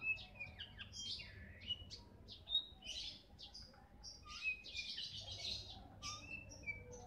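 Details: Oriental magpie-robin, kacer bagong type, in continuous varied song: rich whistled slurs, sharp chirps and buzzy bursts following one another irregularly throughout, with faint low background hum.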